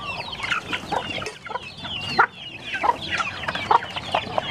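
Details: Chickens in Cambodia competing for rice and kitchen waste, a hen with small chicks guarding them from other chickens; a busy mix of overlapping clucks and peeping calls with scuffling noise throughout.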